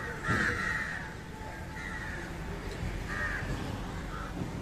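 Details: Indian jungle crow at a fish meal, uttering loud raspy caws, a strong first call followed by two shorter ones, against steady low noise.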